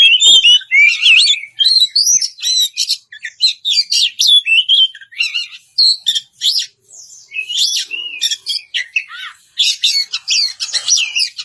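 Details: Oriental magpie-robin singing to challenge an opponent: a long, rapid sequence of short varied notes, whistles, chirps and harsh chatters, about four per second, mostly steady with a few brief gaps.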